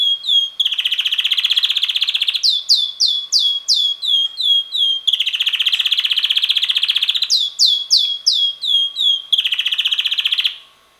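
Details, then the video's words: Red male canary, about six months old, whose melodies change slightly each week, alternating long buzzy rolls with bursts of swept chirps, the pattern repeating twice across the passage. "red canary bird singing - roter singender Kanarienvogel"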